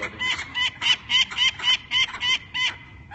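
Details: A young nestling Peregrine Falcon atop Philadelphia City Hall alarm-calls while being handled for banding. It gives a rapid run of harsh, clucking kak notes, about three or four a second, with faint human voices in the background.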